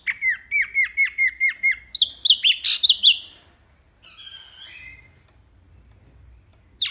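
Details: Hwamei song recorded as tutor material for training other songbirds: about ten quick, evenly spaced downslurred chirps, then louder harsh rising notes, a fading buzzy trill and a final sharp note.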